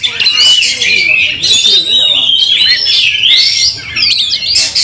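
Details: Fighting Oriental magpie-robin, emotions roused and tail spread, making other magpie-robins fiercer; bright sliding whistles rising and falling over scratchy chatter, sustained and loud with a short drop near the end.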